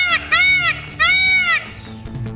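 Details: Indian peafowl, India's national bird, giving two loud nasal wailing calls, each with rich stacked harmonics, a strong upward-bending cry repeated twice in quick succession, followed by faint background sounds.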